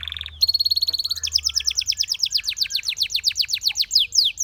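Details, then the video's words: Belgian canary singing: a brief steady whistle, then a long fast trill of sharp, repeated notes, followed by a rapid run of downward-sweeping chips at roughly ten per second. "The Sound Of The Belgian Canary Tempts Your Canary To Sing"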